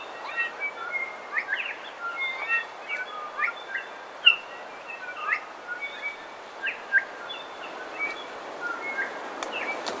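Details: Coastal dawn chorus with bellbird song and calls: short whistled, bending notes and chirps come about every second or two from many overlapping birds, with a loud bright note near the middle over soft outdoor hiss.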